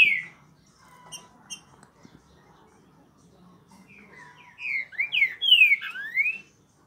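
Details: Thrush-like saltator singing in the Curricutil song style: a loud run of clear whistled notes, each sliding down and repeated in quick succession. Faint soft chirps and quiet background sounds come before it.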